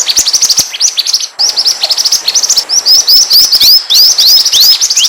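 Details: A pied triller sings a lure song meant to pull other birds nearer: a dense stream of high, sharp chirps that gives way to steady repeated curved whistles.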